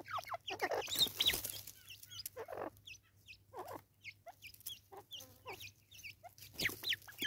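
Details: South African Natal spurfowl, formerly called Natal francolin, recorded in 2024: a noisy outburst of harsh cackles that fades into a spaced series of short, scratchy, descending notes before rising again at the end.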